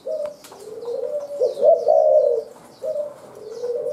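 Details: A wild spotted dove gives soft, low hollow coos in a run, rising slightly into a louder drawn-out note; faint high chirps of other birds behind.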